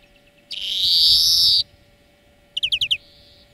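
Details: European greenfinch song used to train birds: a drawn-out, rising nasal wheeze lasting over a second, followed after a pause by a quick run of five chirped notes.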